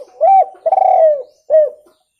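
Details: Spotted dove, clearly recorded for luring: a mellow coo, a long rolling, slightly falling coo, and a final shorter coo, with no other sounds.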